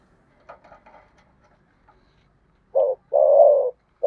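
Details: Spotted dove contest cooing in the Sấm Thổ voice. Faint scattered chirps and soft background noise come first, then loud, steady, level coos: one short, one long, and the start of another.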